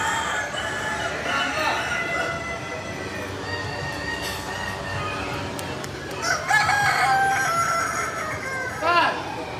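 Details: Kukuak Balenggek roosters crowing during a crowing contest in Bukittinggi; long harmonic crows with stepped, wavering endings, several birds overlapping, amid crowd chatter.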